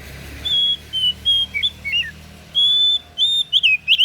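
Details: Oriental magpie-robin of the kacer daput type singing long, steady whistled notes with slurred dips, then quick rising and falling twitters, loud and clear over a low background hum.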